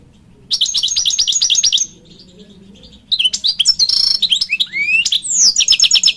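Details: A khalawi-type European goldfinch sings a fast, high, tinkling trill. After a brief quiet gap it launches into varied chirps, a rising slurred whistle and more rapid twitters, with a soft low hum behind.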